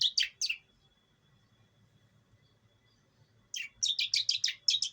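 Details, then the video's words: Long-tailed shrike, East Javan bird raised from a chick, giving lure calls: three grating notes, a three-second pause, then a rapid burst of rasping chatters over a faint hum. "pancingan burung pentet."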